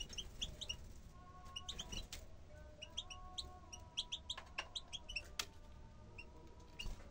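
Bukhara tit giving short, high, bright notes in quick clusters, alongside lower steady tones, scattered clicks and a constant low background rumble.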